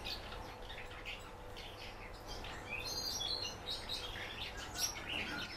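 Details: Common house martin kept in captivity, giving a quiet run of high, thin chirps and twitters, quick and irregular, over a faint steady low hum.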